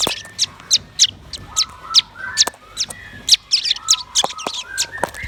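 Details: Red-billed nuthatch and white-rumped shama singing together: loud, sharp, high notes repeated several times a second, woven with lower rising whistles.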